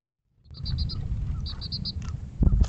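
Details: Juvenile Western Bluebird bathing alone gives two quick bursts of four short, high, clipped notes over a steady low background rumble, ending with a brief thump.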